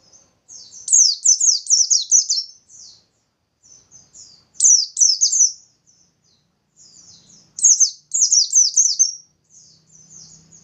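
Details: Bustomi white-eye in full song, used to trigger singing in other white-eyes. Loud rapid strings of high falling whistles repeat three times at intervals of about three seconds. Quieter chattering notes link them, with faint low hum near the end.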